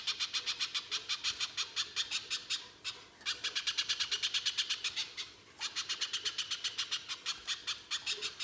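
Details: [2, 'Little spiderhunter singing hard and rapidly, a recording meant to lure other spiderhunters into song: long trains of sharp, high chip notes, broken by two short gaps, at a fast even pace.']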